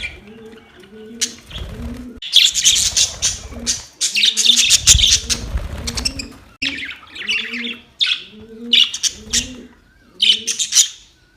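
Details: Budgies fighting on October 25, 2023: loud bursts of rough, buzzy chatter in repeated clusters, over steady low rhythmic cooing of doves throughout.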